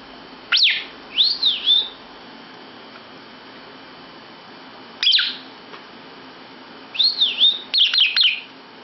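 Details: Lovebird indoors in a bedroom, giving a sharp upward chirp, then a series of arched whistled notes, and a later burst of quick chirps and looping whistles, all shrill and high, over a quiet room hiss.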